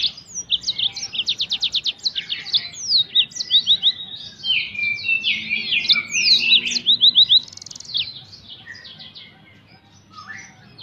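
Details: Wild yellow-fronted canary used as a lure, singing a lively varied warble: rapid buzzy trills, quick downslurred whistles and sweet twittering notes run together for about eight seconds, then fading to quieter faint notes.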